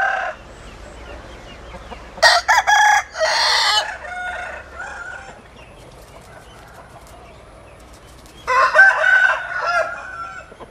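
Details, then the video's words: Rooster crowing twice, each a loud, harsh, ragged call of about two seconds, the first split into stuttering bursts and the second several seconds later, over a low steady background hum. "Tiếng Gà Gáy"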